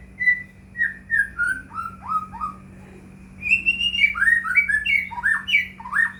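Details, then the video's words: Lure recording of a White-rumped shama (murai batu) to stir quiet caged birds into singing: a run of clear descending whistles, a short pause, then a faster, denser burst of looping whistled notes, with a constant low hum. "murai batu gacor AMPUH buat PANCINGAN murai batu agar bunyi"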